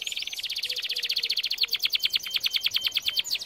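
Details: Canary singing a fast rolling trill of short bright notes, speeding and pulsing steadily throughout, meant for training canaries.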